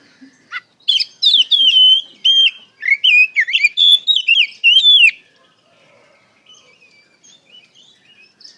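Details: Oriental magpie-robin in full 'ngeplong gacor' song, used as a lure to make young birds answer: a four-second burst of loud, rich whistled phrases, rising and falling notes in quick succession, then quiet faint chips.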